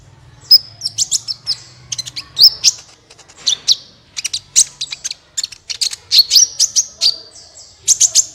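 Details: Sunbird song used as a lure to prompt other birds to sing: dense bursts of sharp, high chirps and short whistled notes, quick and irregular, with brief pauses.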